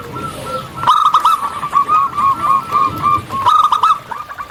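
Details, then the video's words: Local zebra dove singing actively outdoors: a near-continuous, overlapping stream of mellow hooked notes, punctuated by a few sharp clicks. "Perkutut Lokal Gacor Audio Jernih Tanpa Noise"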